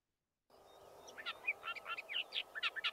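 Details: Western Orphean Warbler singing from a holm oak, short rich warbled notes in quick, much-repeated characteristic phrases over steady hiss; another bird answers more distantly in the background.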